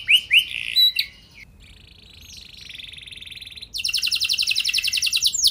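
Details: Canary lure song to make other canaries sing: a few loud curved chirps, a quieter buzzy sustained phrase, then a bright fast trill of evenly repeated notes.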